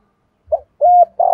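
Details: Spotted dove lure coo for training caged young doves. A short soft note is followed by a level, sustained hoot and then the start of a loud, buzzy coo, all in a quiet setting.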